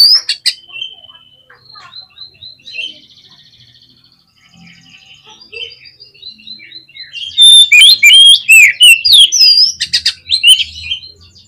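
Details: Oriental magpie-robin in excited, provoking song: at first quiet, spaced whistled notes and short trills, then a loud three-second outburst of rapid varied whistles, twangs and chips, trailing off into softer phrases.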